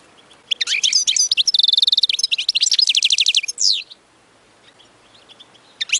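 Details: European goldfinch singing as a model for chicks, with fast tinkling twitters, a steady buzzy trill near the middle, more quick repeated notes and a harsh closing buzz, then near silence with one brief note.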